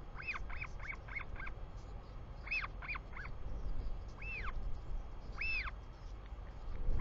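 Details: Royal albatross chick greeting its returning father in New Zealand, 24 July 2020, afternoon: a fast series of short arched squeaks, then slower drawn-out whining calls, with low wind noise beneath.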